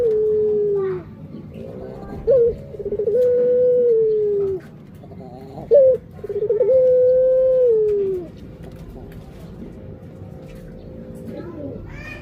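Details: Two full coo phrases from a Barbary dove, each opening with a short abrupt note and continuing into a long, smooth coo that climbs slightly and then slides downward, spaced a few seconds apart.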